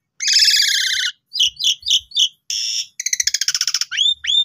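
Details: A young Asian pied starling sings a varied, high, quick song: a harsh buzzy burst, paired chirps, a rapid rattling trill, then rising whistled notes.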